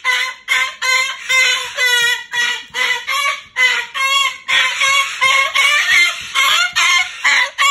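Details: Pet Moluccan cockatoo at bedtime, refusing to go into its cage and complaining: a rapid run of loud, harsh, harmonic squawks, roughly two per second, with uneven spacing, indoors.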